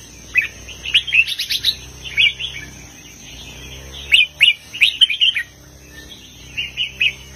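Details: Red-whiskered bulbul singing a southern Thai master-song style with heavy phrases, meant to rouse other bulbuls: bursts of bright, bubbly warbled notes in short clusters separated by pauses, over a steady high-pitched electronic whine.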